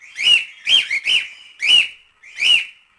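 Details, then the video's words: Cockatiel giving quick whistled notes: six bright, upswept then dropping whistles in fast succession, two nearly run together, with a faint tone between them. "Cantos e Assobios Para Calopsitas 🐦 Ensinar Calopsita Cantar"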